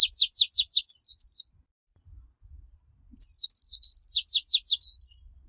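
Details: Japanese white-eye singing the líu chòe song style, a recording used to train young white-eyes: high, clean phrases of rapid down-slurred whistled notes, then rising and falling twitters, in two bursts separated by a short silence.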